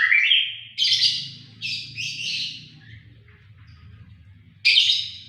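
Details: White-rumped shama with a vigorous, sharp-toned voice: a high rising whistle, then harsh buzzy bursts spaced over several seconds, with a steady low hum filling the gaps.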